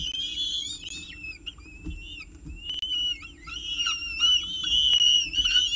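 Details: At a CSU Orange nest on 19 October 2018, a peregrine falcon with breakfast gives drawn-out, whining calls that bend up and down in pitch, running almost continuously and growing louder toward the end.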